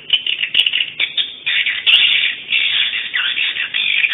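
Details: Swiftlets at a 2017 swiftlet sound tournament, in a dense, unbroken stream of high chirps and twitters, chattering rapidly with short clicking bursts and no pauses.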